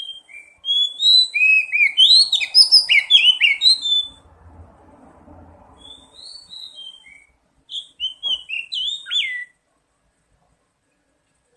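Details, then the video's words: Oriental magpie-robin song as a singing lure: an energetic run of varied whistles, chirps and downslurred notes, a quieter stretch with faint background murmur, then another short burst of sliding whistles. "Pancingan kacer bahan dan terapi bunyi | cepat bunyi respon"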